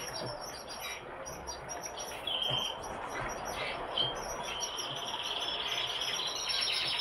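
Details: Brambling (Fringilla montifringilla) calls: short chirps, then a drawn-out, slightly buzzy high note, over a steady background hiss; Brambling.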